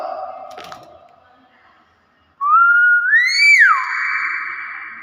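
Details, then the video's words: Hill myna that talks, heard indoors after a person's greeting. Soft tones give way to a loud, pure whistle that climbs in two steps, peaks, then drops and holds a steady buzzy note. "Burung Beo unik ngomong"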